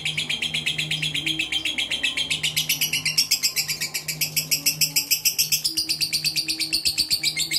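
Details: Mentil-character fighter lovebird chattering nonstop: fast, high, rasping chirps stacked in a continuous run, the pitch drifting slightly up and down, against a low droning background.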